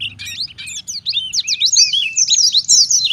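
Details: Oriental white-eye, wild-type song used to provoke answers from other white-eyes; quick, tumbling series of high slurred chirps and whistles, roughly two or three notes a second, growing denser and brighter toward the end.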